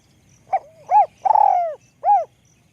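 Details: Spotted dove with a high, small voice: a brief soft note, an arched coo, a long rolling purr falling in pitch, then a final arched note. The background is otherwise still.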